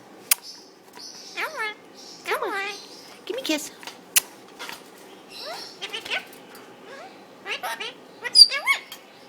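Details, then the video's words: A pet Indian ringneck (rose-ringed parakeet) talks to its owner and to a bird in the cage beside it, chattering in high, nasal, word-like phrases with quick falling inflections and sharp clicks, spaced by short pauses. "My Indian Ringneck (Bobby) talking!"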